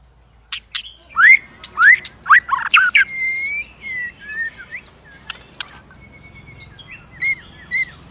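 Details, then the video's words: White-rumped shama delivering a many-voiced provoking fight song with continuous clicking and tail flicks; loud rising whistled notes in quick succession, sharp clicks interspersed, a drawn-out whistle, then a pause before two short ringing phrases near the end. "Chòe lửa kích lửa CỰC HAY-NHIỀU GIỌNG ,tạch liên tục đập đuôi kích chòe lửa lên lửa hót đấu"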